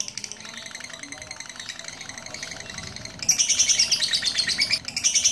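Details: Lovebird singing for duration after a handler from Pucakwangi, Pati blows on it once: quieter quick ticking chatter, then a loud outburst of shrill, buzzy trills with a brief break near the end.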